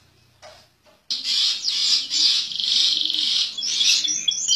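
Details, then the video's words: Master contest canary singing during its sunbathing: after a brief quiet start, a loud, dense, high trilled rattle runs on continuously, ending in sweeping chirps. "SUARA KENARI MASTER JUARA KONTES SAAT JEMUR"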